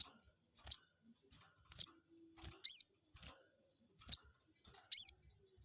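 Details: Crested jay lure call for provoking a rival: irregular sharp high notes, some with a brief down-slur, mixed with soft clicks and low knocks.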